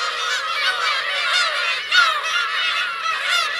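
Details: Black-tailed gull parents and chicks at Kurosaki coast on Teuri Island, Hokkaido, 17 June 2021. A dense chorus of nasal, mewing cries from many birds, one louder drawn-out call near the middle over the steady din.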